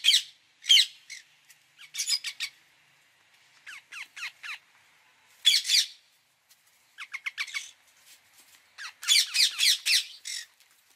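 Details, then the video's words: Indian ringneck parakeet screeching in irregular bursts, harsh squawks alternating with quicker runs of short descending notes, some calls loud and close, others softer. "1 hour parrot sound | ringneck"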